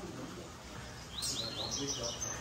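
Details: A double-collared seedeater singing in a late-morning song gathering with other birds gives a quick burst of high, bright whistled notes, sliding up and down, halfway through. Voices and steady background hiss are heard throughout.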